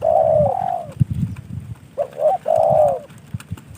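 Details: Trained captive spotted dove given by a fellow hobbyist: a long falling coo, then two short clipped notes and another drawn, gently descending coo, over low rumbling background noise and faint clicks.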